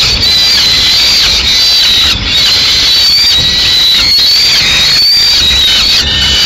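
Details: Peregrine falcon nest in Madrid, May 2016: a big chick seizes prey from the arriving female, giving an unbroken high, thin wailing scream that wavers slightly in pitch throughout, with constant background hiss.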